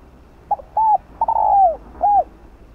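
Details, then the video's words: Spotted dove, known locally as cu đất, cooing as a lure to stir other doves into song: a short clipped note, a rounded coo, a long sliding drawn-out coo, then a final rounded coo, all mid-pitched and clean over quiet background. "Tiếng cu gáy mồi kích bổi nhanh gáy"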